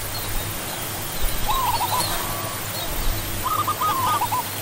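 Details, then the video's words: Zebra dove, also called barred ground dove, giving two soft rolling trilled coos of mid pitch, each about a second long and two seconds apart, over a steady low hum and background hiss. "Zebra dove (Geopelia striata)"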